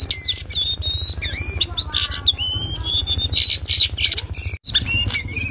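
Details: Lesser shortwing singing loud ngriwik chatter, recorded to tutor songbirds: high twittering with looping whistled slides and scratchy notes, a brief silence near the end, then more chips, over a low throbbing hum.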